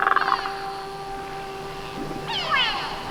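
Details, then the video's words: Grey go-away-bird in Mana Pools National Park giving nasal, drawn-out 'kweeey' calls, a short harsh burst at the start and another after two seconds, over a steady background hum. "a grey go away bird makes its distinctive call. Kweeeey"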